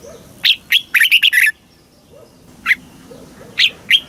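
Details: Red-whiskered bulbul from Thailand, a caged bird singing the southern master style used to rouse other birds and tutor chicks. A rapid burst of five chirpy, warbling notes comes first, then scattered single whistled notes.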